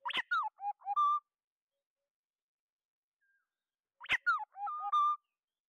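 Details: Oriole calling the flock, clean lure recording with no background noise: two mellow fluted phrases about four seconds apart, each opening with a sharp note and ending on a steady held whistle.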